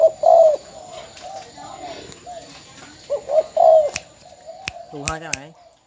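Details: Ben Tre spotted dove, a caged decoy bird recorded before being sold: two low cooing phrases of short hoots ending in longer coos, then sharp clicks and a brief rasping sound.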